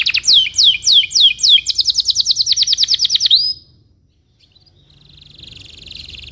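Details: Belgian canary with a morning cuit-cuit rolling song, a lure for young canaries learning sounds; falling chirps run into a fast high trill lasting about two seconds, followed by silence and a faint distant trill.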